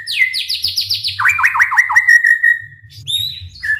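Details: White-rumped shama in full song, used to provoke other shamas into singing: rapid series of repeated downslurred whistles, then a long sustained whistle and bright higher notes, with a low hum underneath.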